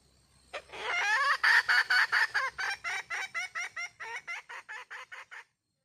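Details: A red junglefowl hen starts with a long, harsh, rising note. She then gives a rapid run of about seventeen short clucks that gradually weaken and end abruptly.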